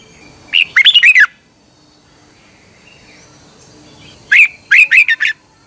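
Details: Red-whiskered bulbul from Thailand, sung for training caged birds each morning. Two phrases about four seconds apart. The first is a rapid warbled run. The second is a loud note followed by four more separated, chirpy whistles.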